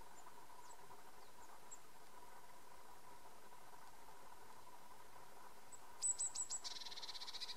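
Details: A feeding Eurasian blue tit at Tarumaa, Virumaa, Estonia, in February 2016 gives a quick run of four or five very high, thin notes, then a dry, buzzy churr, over a steady low hum.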